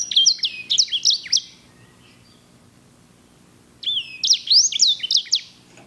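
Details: Singer canary of the edel/herda sanger style, known for luxurious rolls, sings a rapid series of high whistled notes and sweeps, pauses over two seconds, then restarts with a rising whistle and a bright trilled run.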